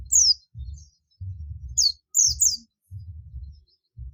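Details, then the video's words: Oriental white-eye of the buxtomi type calling its companions, the call style known locally as ngalas: high, thin, descending whistled notes in three short bursts, over soft low thumping. "pleci buxtomi ngalas"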